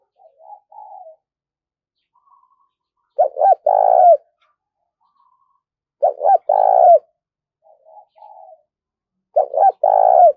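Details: Captive decoy spotted dove, a four-note singer, calling to draw in wild doves. Three strong phrases about three seconds apart, each starting with quick clipped notes and swelling into a long rolling coo, with softer, fainter cooing notes between them.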